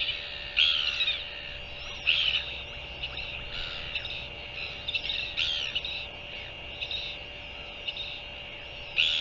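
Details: Northern royal albatross, 24 January 2023: scattered raspy, croaking calls, some louder bursts spaced a second or two apart, against continuous hiss and a faint steady hum.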